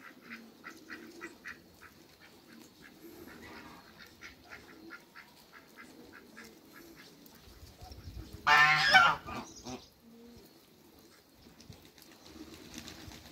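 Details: A pair of Muscovy ducks in a backyard gives short clipped calls in quick runs of about three a second. Near the end there is one loud, harsh burst, and quiet gaps separate the bouts.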